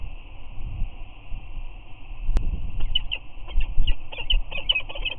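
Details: Peregrine falcon pair on Anacapa, dated 3-8-19, both adults visiting the eyrie and giving their chirping greeting with head bows. Sharp short chirps come in a quickening series over the second half, above a steady high hum and low rumble.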